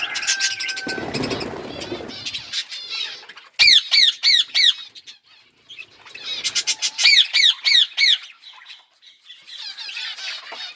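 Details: Budgerigars with chicks growing: mixed chatter and a low rustling burst, then two runs of rapid, harsh squawks at about three a second, separated by a pause. Scratchy twittering follows.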